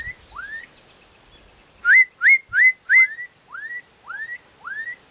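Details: Black-capped donacobius song of clear upward-sweeping whistles: a faint opening pair, then four loud, quick rising whistles, followed by three softer drawn-out rising notes, all evenly spaced.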